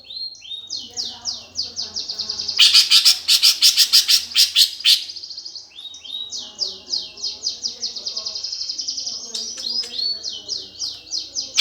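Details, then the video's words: Greater green leafbird gereja tarung fighting song, meant to provoke competition birds: rapid falling whistles, a loud burst of grating chirps, then more looping whistled slurs and a faint trill. "PANCINGAN cucak ijo suara gereja tarung"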